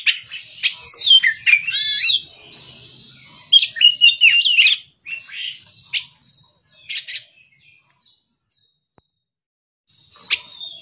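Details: Oriental magpie-robin, an untrained bird, in morning song: clustered whistled and scratchy phrases over the first half, then sparse single sharp notes separated by near silence.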